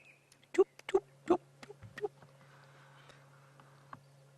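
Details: Red-crested Korhaan calling in the background at sunrise on June 29, 2016, Cheetah Plains, Sabi Sands: a few sharp, knocking clicks about three per second that quickly fade, over a steady low engine hum.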